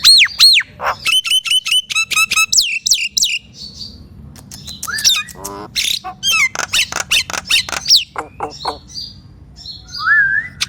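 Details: Song of the Nias hill myna, played to prompt silent mynas: rapid strings of stacked downslurred whistles, harsh squawks and clicks, a buzzy rattle mid-way, ending with a rising low whistle.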